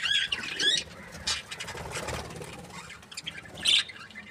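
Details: A budgerigar of a breeding pair gives short, harsh squawks with rapid rising notes at the start. A single sharp squawk follows a few seconds later, with soft rustling in between.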